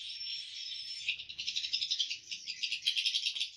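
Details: Swiftlets inside a swiftlet house, in the room used for hatching, where nests are rarely harvested: a dense, continuous twittering of high chirps that becomes sharper and more pulsed in the second half, with faint low murmurs beneath.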